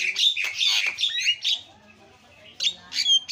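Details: Javan myna giving long, harsh, noisy rasps, then a quiet gap and a few short squawking and whistled notes.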